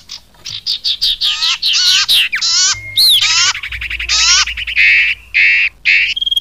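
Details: Common iora lure call for trapping birds, with a rapid series of harsh, buzzy, descending chattering bursts, interspersed with a brief high whistle and short steady tones near the end.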